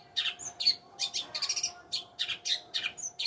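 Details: Rapid chattering song of a long-tailed shrike, mixing harsh scratchy bursts, short rattles and thin whistled accents in quick succession, with a faint steady hum behind.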